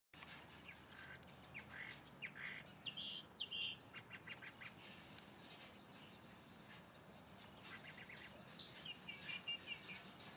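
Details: A calandria singing: scattered short chirps and whistled phrases near the middle and end, with a steady quiet background hiss between the notes.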